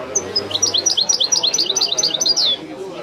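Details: European goldfinch performing authentic Wiidani-style song, a continuous, rapid stream of high, tinkling twitters and downward-slurred chirps running for over two seconds, ending in a bright trill before a brief quiet.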